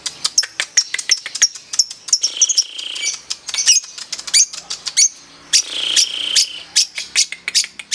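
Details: Lovebird in a singing contest giving a long ngekek chatter: dense rapid high chirps and buzzy trills, with a sustained whistled note near the middle and bursts of harsh churring toward the end.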